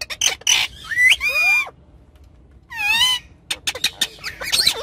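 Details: Pet ringneck parrots talking and playing on a car back seat: bursts of sweeping, warbling, harmonic chatter and squawks, separated by a short quiet pause, with clicks and scuffles.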